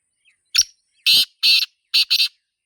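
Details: Black francolin in nature uttering its grating call: a brief high introductory note followed by four buzzy, scratchy bursts, the final pair quick and clipped. The recording is otherwise quiet.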